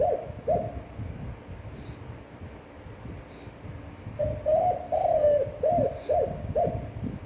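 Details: Spotted dove giving a standard, long, appealing cooing voice, described as good for rousing and training newly caught doves; two short low coos open, then after a pause a phrase of about six hollow, mellow, falling coos.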